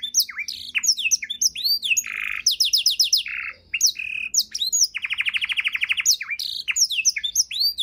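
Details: Canary singing rich 'isian' tutor song for other birds: arching whistles and chirps, a short buzzy roll, a burst of fast trill notes, a brief pause, then a long rapid rolling trill and looping high sweeps.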